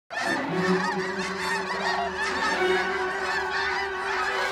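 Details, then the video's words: A dense flock of Snow Geese takes flight above the Crane Pool at Bosque del Apache, giving a steady wall of overlapping nasal, yelping honks, with many birds calling at once and no pause. "Ride of the Snow Geese (with bird audio)"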